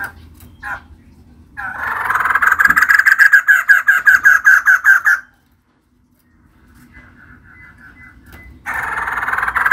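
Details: Female white-crested laughingthrush, a kept bird, delivering lively song: a long run of rapid, evenly pulsed harsh notes for about three seconds, a silent pause, faint soft notes, then a fresh loud burst.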